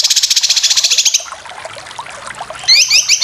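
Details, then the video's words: Cucak kinoy song for training competition birds: a fast buzzy trill, a stretch of soft scattered chips, then upward-sweeping whistled notes. "Masteran full besetan cucak kinoy cocok untuk burung lomba"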